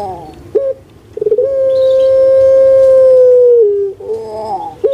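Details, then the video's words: Puter pelung (Barbary dove) kept by its owner in Indonesia, played to stimulate reluctant birds into cooing: a quick stuttering start leading into a sustained, even, hollow coo held over two seconds, dropping lower before a rolling follow-up. "Pancingan AMPUH UNTUK PUTER PELUNG YG MALAS BERBUNyi"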